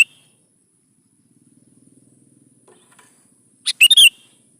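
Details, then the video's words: Sooty-headed bulbul in gacor song as a lure for young bulbuls: a faint low rattling hum, then near the end one quick phrase of a thin lead note and three bubbly notes. "SUARA BURUNG KUTILANG GACOR"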